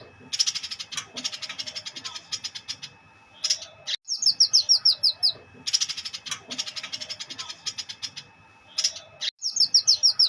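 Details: Ngleper-style song of a white-eyed bulbul, rapid sharp chirping runs broken by short sweeping trilled phrases of falling notes, the pattern returning every few seconds over a thin constant whine.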